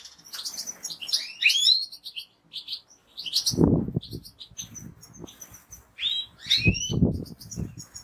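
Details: European goldfinch kept by a fancier, singing twittering phrases with bright rising whistles, mixed with low thumping and fluttering noises from the cage.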